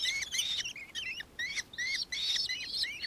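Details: Nankeen kestrel calling in Victoria, Australia, 4 December 2024: short bursts of shrill, upward-curving notes, a few per second, separated by brief pauses.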